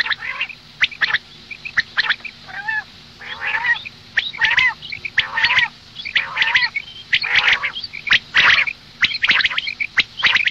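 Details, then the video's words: Female common quail giving morning calls: a long irregular series of grating squawks and short rising notes, with frequent sharp clicks throughout. "Madi batair ki awaz suba ke liye مادی بٹیر کی آواز"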